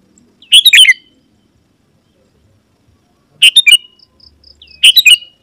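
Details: Sooty-headed bulbul song for calling wild bulbuls that reply and come near: three bright chattering phrases of quick notes slurring down, with soft high tones between them.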